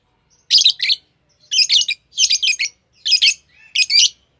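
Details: A green Fischer's lovebird pair sings in five harsh, buzzy chirp bursts, each about half a second long and made of two or three rapid scratchy notes, with short pauses between them.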